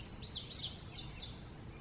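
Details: Short indigo bunting phrase of about five high, arched whistled notes, each rising then dropping in quick succession, with a steady high tone underneath.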